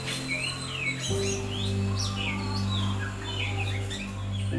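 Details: Oriental Magpie Robin in a home garden in Kadawatha, Sri Lanka, among flowering trees and bushes where it hunts small insects; a sound some elders consider ill-fated. Varied rising and falling whistled phrases over steady background music.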